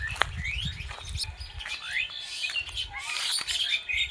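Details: Wild birds chirping in a jungle, recorded live on a forest walk: overlapping high, quick rising and falling chirps and short twittering notes from several birds, with faint low rustling and background rumble.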